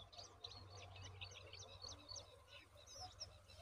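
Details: Yellow-vented bulbul (Pycnonotus goiavier) feeding a large worm to its young: a quick, steady run of thin, high chirps, several each second, over a low, constant mechanical hum.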